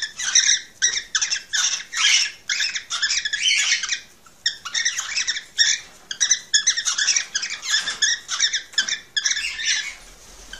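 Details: Cockatiels recorded to stimulate breeding, giving long runs of scratchy, buzzy chattering notes in quick phrases of about a second each, with short gaps between them, indoors.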